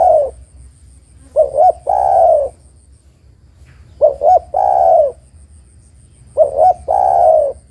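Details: Female spotted dove calling to the male: a soft, mellow coo phrase of two short notes and then a longer drawn-out note. The phrase repeats three times, about every two and a half seconds, in quiet surroundings.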